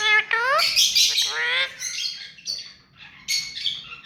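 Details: Hand-tame rose-ringed parakeet chattering rapidly: rising nasal harmonic calls run into a dense harsh screech, then softer scratchy notes and a final squawk, against low background hum.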